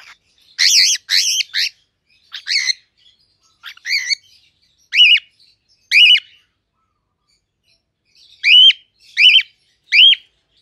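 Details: A pied cockatiel sings its natural song in bright, warbling chirps in short bursts, some rising then dropping in pitch.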